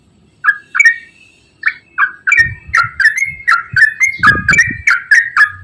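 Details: Straw-headed bulbul in long rapid 'ropel' song, used to trigger silent birds: a few hesitant whistled notes, then a steady run of loud, liquid, bubbling phrases about three per second, with a low thumping noise underneath.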